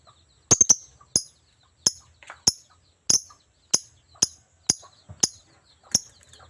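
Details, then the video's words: Lovebird, described as very vocal, giving sharp, shrill high chirps. They come singly or in quick doubles about every half second to second over a quiet background with faint low rumbling. "burung Lovebird super gacor abis"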